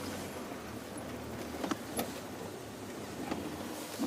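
A steady engine rumble runs throughout, broken by a few sharp clicks and knocks, with no animal voices.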